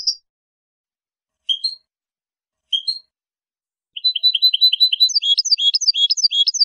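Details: European goldfinch giving clean limpio song, 2023: a few separate high chirps, then a fast rolling series of bright twittering notes, rising into a quicker liquid trill repeated several times a second.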